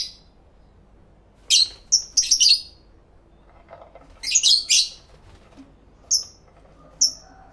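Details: Lovebirds chattering to each other in a stereo recording: clusters of harsh, high squeaky chirps, followed by two separate short whistled notes spaced about a second apart.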